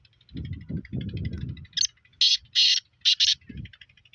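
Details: Black francolin in Sindh, Pakistan: low rumbling sounds at first, then a stuttering run of loud, harsh, grating notes, some doubled, over faint ticking in the background.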